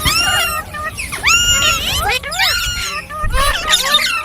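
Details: Green parrot chirping, loud overlapping rising and falling whistled chirps and squeals in quick succession, with a steady low rumble underneath.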